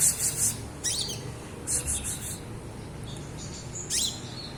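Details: Juvenile olive-backed sunbird practising its ngriwik chirping: clusters of sharp, very high twittering notes in about four short bursts, separated by pauses, over faint low background rumble.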